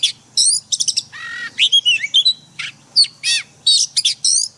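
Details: White-rumped shama singing a forest-style song used for daily training of caged birds: loud, clear bursts of high whistles, sharp chips and one lower buzzy phrase, separated by brief pauses, on a quiet background.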